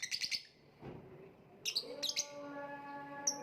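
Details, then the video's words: A lovebird gives a burst of rapid, high chirps, goes quiet, then resumes with short shrill squeaks and one clear high note, while faint sustained low tones drone underneath. "voice of lovebird / Lovebird kicau"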